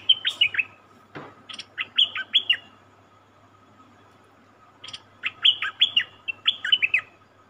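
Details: Cream-vented bulbul caught from the wild and kept caged, singing two bursts of rapid, clear, downward-sliding notes separated by a pause of about two seconds, with a sharp click between phrases and a constant low hum behind.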